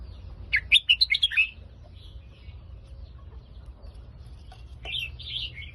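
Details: Phetchaburi-line red-whiskered bulbul song opening with a rapid run of six or seven liquid whistled notes, followed by quiet soft chirps and a brief fluttering twitter near the end.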